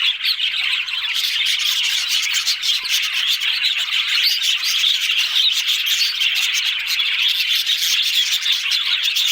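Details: Several budgerigars chatter without a break: a thick stream of high chirps, trills and warbles at steady volume, punctuated by many short sharp ticks.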